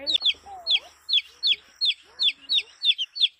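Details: A colorful chick peeps steadily, with about three high, shrill, downslurred cheeps each second, and faint, lower sliding sounds are heard underneath.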